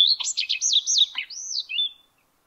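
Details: A male common redstart (Phoenicurus phoenicurus) singing from the top of a spruce in May 2022 gives a brief, high phrase: a clear opening note, a few quick up-and-down whistles, then a looping twittery flourish, all in about two seconds.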